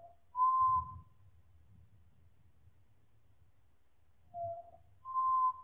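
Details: Slowed chorus singing of four pied butcherbirds: sustained pure whistled tones, a lower note then a higher held one, separated by a long pause with soft low background rumble.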